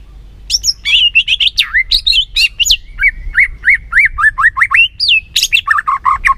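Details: Rich, continuous white-rumped shama song used to excite an unwilling captive singer: fast, varied whistles, swooping slurs and chirps that follow each other with barely a break, some rising sharply and others falling.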